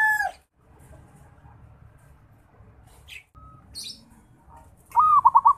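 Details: A local Bali zebra dove (perkutut), a young bird learning to sing, gives a soft opening coo, then a quick burst of four or five rounded staccato coos, with quiet pauses and faint background rumble.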